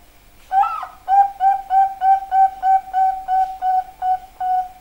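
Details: Zebra dove singing: a higher, rising opening note followed by a steady run of about ten soft, rounded cooing notes at one pitch, repeated roughly three times a second in an even rhythm, in a quiet setting.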